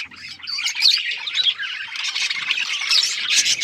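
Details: Several Australian parrots chirp at once, making a busy high warble full of quick whistled slurs and scratchy squawks that carries on without pause.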